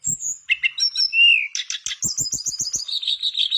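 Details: Mangrove blue flycatcher in full song, meant to stimulate quiet birds into singing: thin high whistles and a drawn-out falling note, followed by a fast run of sharp clicky notes and a cascading, warbled descending trill.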